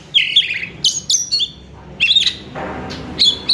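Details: Oriental magpie-robin song, used to lure and stimulate another kacer to sing. Rapid bursts of bright, clear whistled notes, some trilled and some slurred. Brief pauses separate groups, and faint low background hum is present.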